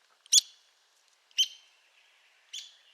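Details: Arizona woodpecker (Dryobates arizonae) giving three sharp, high, squeaky call notes, roughly one a second, each with a brief fading tail; quiet background otherwise.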